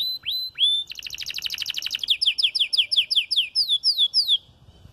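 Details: Red snow-frosted canary singing while beginning to moult: two rising whistles, a fast high trill, then a series of quick falling slurred notes.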